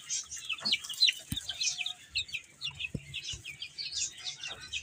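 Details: Chicks chirping as they eat and play, a dense flock of thin high peeps overlapping continuously, punctuated by a few sharp pecking clicks and knocks.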